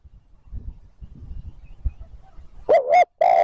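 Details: Soft rumbling background, then a spotted dove bursts into a loud coo near the end, a wavering double note and the start of a long hoot, cut off. The call is used to lure wild birds.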